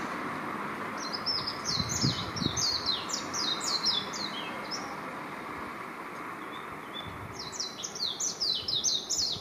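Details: On residential power lines near Hachioji, a warbling white-eye pours out fast, high-pitched twittering, a tumbling chain of sweet notes, pausing briefly before another rapid run, with faint traffic rumble behind.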